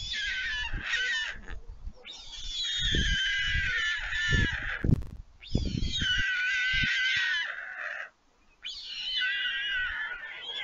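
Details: Young white storks at a nest at Leemansmolen, Vriezenveen, Netherlands, 11 July 2022. The fledged siblings have flown back on seeing a parent at the nest for feeding. Long, wavering, harmonic wails come in three drawn-out bouts, with low thumps and gaps between them.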